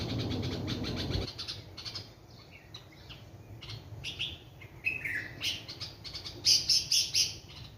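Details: Two sparrows in a large mango tree beside a house on a morning with a cool breeze chirp in short, bright, high notes at an uneven pace, with a quick run of louder chirps near the end. A brief low rumble opens the recording.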